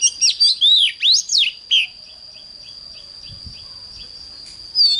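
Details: Oriental magpie-robin in morning song: a lively sequence of loud whistled slurs and trills over about two seconds, then faint regular chips and a final whistle, over a steady high background tone.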